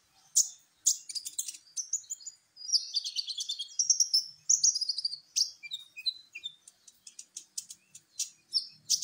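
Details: Champion sunbird (kolibri ninja) singing as a lure for other songbirds: dense, rapid high twittering with sharp clicks, buzzy trills and thin whistled slurs running almost without a break.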